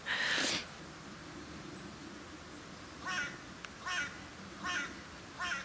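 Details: Carrion crows returning to a feeding round on a dry January 2021 day: one loud, hoarse caw opens, followed by four shorter, fainter caws spaced about a second apart, as if from farther away.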